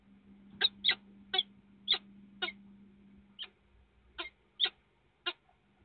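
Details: Peregrine falcon visiting the Police chemical plant site in Poland: a series of about nine sharp, harsh, clipped calls spaced irregularly over five seconds, over a steady low mechanical hum.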